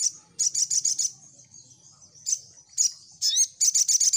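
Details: Lively singing of a crimson sunbird, used as a lure to make birds answer: short bursts of rapid, piercing high notes broken by pauses, ending in a quick rattling trill with a rising whistle.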